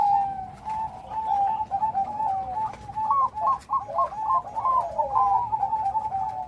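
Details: Zebra dove, Bangkok perkutut with a big voice and complete rhythm, singing a continuous cooing phrase: level coos build into a series of bouncing, stepped notes, then settle back into steady repeated coos.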